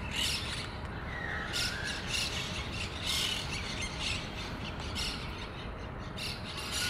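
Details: Harsh chattering squawks from a monk parakeet colony around its communal condominium-like nest in Pasir Ris Park, calls coming in irregular clusters, with one brief lower whistled note early on and steady low ambient noise.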